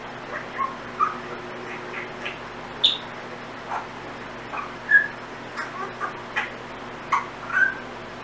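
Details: Pet Timneh African grey parrot making random sounds and snatches of learned whistles: scattered short tonal whistles and brief squawks, irregular, about one every few seconds, over a steady low hum.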